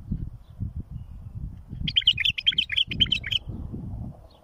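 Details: Tutoring song of a bulbul for fledglings: a run of about eight evenly spaced, fluty whistled notes over roughly one and a half seconds, with steady low rumbling noise throughout.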